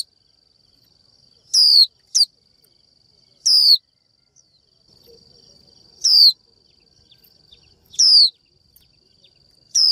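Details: Female Japanese white-eye 'chíu' call directed at a male to spur male song. High, falling whistled notes arrive irregularly, including a quick pair, about six in all, with a steady high whine behind.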